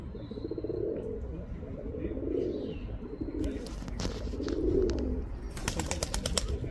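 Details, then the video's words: Male pigeon calling a female with soft, deep cooing: three rolling coo phrases in the first five seconds, followed by a series of sharp broadband clattering bursts near the end. "Male pigeon cooing sound | Pigeons sound | male pigeon calling female pigeon"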